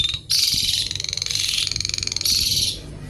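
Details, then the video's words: Javan pied starling giving its crackling 'kretekan' rattle with wings spread 'nggaruda': a dense, buzzy, rapidly pulsed high rattle running almost three seconds with a brief break, over faint low background noise. "jalak suren gacor kretekan nggaruda"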